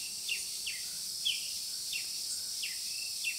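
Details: A violet-capped woodnymph (Thalurania glaucopis) gives thin, high, down-slurred chips, several per second in an uneven series, over a steady insect hiss, in Rio Claro, São Paulo, Brazil, on 24 December 2013.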